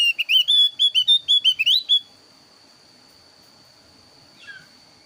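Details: Varied lure song of a thin-browed Javan grey-throated white-eye, used to provoke birds into singing: about ten rapid ringing whistles in under two seconds, then near silence with one faint chirp.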